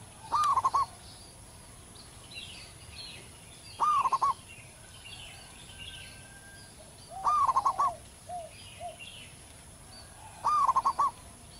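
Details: Local wild zebra dove in full, long-voiced song: four trilled cooing phrases of rapid pulses at intervals of about three and a half seconds, a few soft coos after one, and distant bird chatter.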